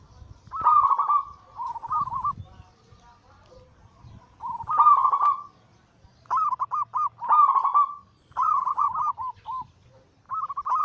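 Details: Cooing song of kept zebra doves (perkutut, local and Bangkok-cross): loud bubbling trill bursts alternate with strings of separate stuttered coos, with quiet gaps and low rustling between phrases.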